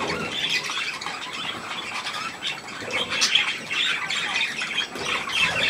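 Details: Budgerigars and their young at millet: a dense, busy wash of high scratchy chirps and twittering notes that rises and falls over several seconds, many birds together.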